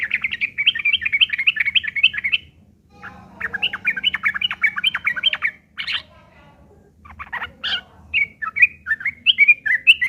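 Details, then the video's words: Rough, rapid chattering from a sooty-headed bulbul in fighting mode, played as a lure to provoke answers. Three bursts of fast, jerky, squeaky notes are separated by short pauses, and the last burst has a few sharper, louder accents. "trucukan gacor TARUNG ngeriwik kasar pancingan trucukan agar bunyi"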